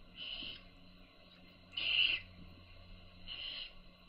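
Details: Baby owls being fed by their mother give three hoarse hissing screeches, the middle one loudest, spread over about four seconds.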